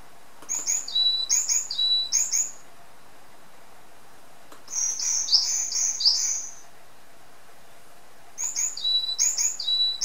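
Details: Song of a pet varied tit, described as singing very sweetly: three bursts of high, thin phrases, each pairing quick sharp notes with a steady lower whistle, against a quiet background.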